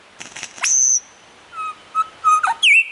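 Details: Australian lyrebird, a mimic of sounds such as camera shutters and saws, gives a few soft ticks, then a long high whistle, a string of low flat whistled notes, and a final bright upward-swept whistle.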